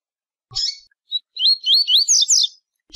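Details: Coleiro tui-tui song: a buzzy opening note and a brief whistle, then rapid high rolling slurred whistles rising into a scratchy finish from a double-collared seedeater.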